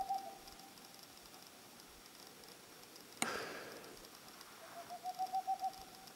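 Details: Boreal owl. A few trailing hoots open a quiet stretch broken by a sudden loud crack. A fresh run of about six rapid, steady-pitched hoots follows near the end.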